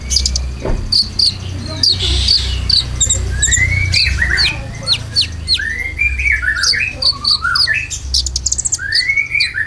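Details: Konin lure song with filler material for caged birds: dense high chirps giving way to rising and falling squeaky slurred whistles, repeated many times, with a persistent low hum underneath.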